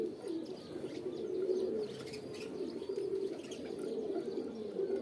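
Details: Continuous low pigeon cooing, soft guttural rolls that swell and fade. Small birds twitter faintly in the background.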